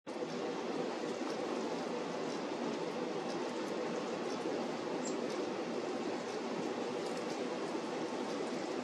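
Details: Constant broadband rushing noise, like running water or passing traffic, fills the whole recording with no distinct animal sounds.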